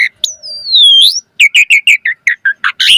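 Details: Asian pied starling in full song, meant to get other birds answering: a long gliding whistle drifting downward then sweeping up, followed by a quick run of about ten short chirpy notes.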